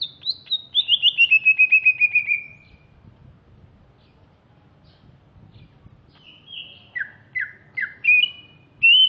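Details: Greater green leafbird from Alas Purwo, Banyuwangi, East Java, described as larger and fierce-looking, sings a quick descending trill of about twelve notes. A pause of several seconds follows, then a set of separate whistles that drop and rise.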